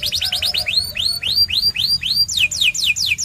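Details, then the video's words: White canary singing a fast series of short downslurred notes, then loud arched whistles about every quarter second, ending in quick descending sweeps; faint low background hum. "The Best White Canary's Singing"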